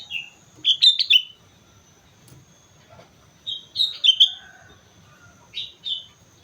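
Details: On Mount Slamet, a chatty sooty-headed bulbul sings bursts of bubbly, warbled notes: a rich four-note phrase, a pause, a similar three-note phrase, then two softer separate whistles, with faint rustling between.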